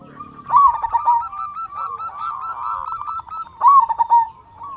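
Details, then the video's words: Local zebra dove with a big voice, singing to stir other doves into song: two loud bursts of rapid, stuttering coos about three seconds apart, with softer cooing doves in between. "Perkutut Lokal Gacor Suara Besar Pancingan Burung Perkutut Agar Cepat Bunyi"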